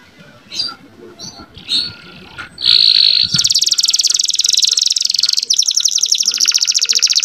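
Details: Young canary master song to rouse canaries and bring females into breeding condition; a few soft chirps and a whistle, then a loud continuous high buzzy trill for four seconds.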